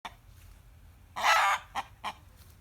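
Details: Rooster calling in reaction to a hen cackling, as is his usual behaviour: one loud harsh scream of about half a second, followed by two short clipped notes, against a quiet background.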